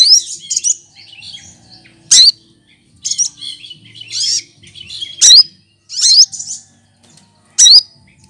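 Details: Cucak kinoy leafbird, a green bird kept to tutor other songbirds, mimicking other species: harsh squawky notes mixed with bright rising whistles and chattering phrases, irregularly spaced over several seconds.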